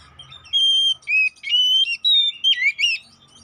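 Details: Oriental magpie-robin (kacer poci), kept bird, song used as a lure to provoke fighting and make birds sing: clear whistled notes, long level tones alternating with short rising and falling phrases.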